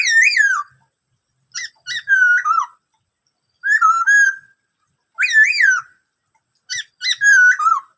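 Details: Black-throated laughingthrush singing the 'bắt cô trói cột' song, a varied song of many sounds: loud, clear whistled phrases with sliding, wavering notes, given in five bursts about every one and a half seconds with silent gaps between.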